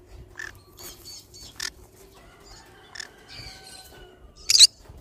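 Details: Pet pineapple green-cheeked conure making a string of short rasping chirps and chatter notes, ending in one loud harsh screech, over a faint steady background hum.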